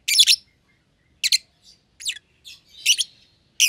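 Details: Young lovebird pair, a red-eyed albino and a euwing green opaline, housed alone in a breeding cage; scratchy high chirps in doubled bursts, some softer descending notes, irregular spacing, otherwise quiet room.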